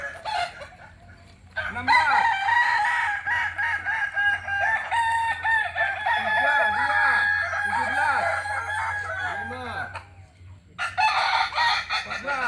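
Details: Original Solok Kukuak Balenggek rooster from West Sumatra delivering an extended crow of nearly eight seconds, with layered held notes and repeated arched syllables, pausing before a second burst. A faint low drone runs throughout.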